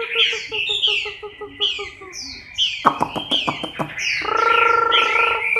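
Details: Moulting Chinese hwamei recorded in October 2015: bright whistled phrases sliding downward, then a burst of sharp clicking strokes and a sustained low buzzy tone beneath continuing whistles.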